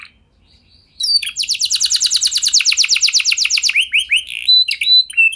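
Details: Canary singing as a lure for other canaries; after a second of quiet, a fast even trill of high repeated notes runs for about two and a half seconds, followed by scattered whistled slurs.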